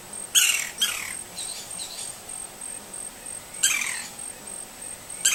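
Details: Green-barred woodpecker in Brazil giving harsh, descending squawky calls, two close together, then a pause and two more, over a thin steady high insect whine.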